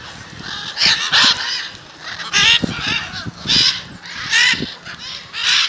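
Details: A group of macaws meeting outside a house in Jaumave, Tamaulipas, Mexico, during February 2015 calls with loud, rough squawks, often in pairs, repeated every second or so, with light knocking sounds below.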